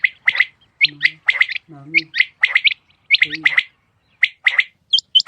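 Rain quail giving sharp, clipped high chirps in quick pairs and triplets, with a few short low, buzzy croaks mixed in.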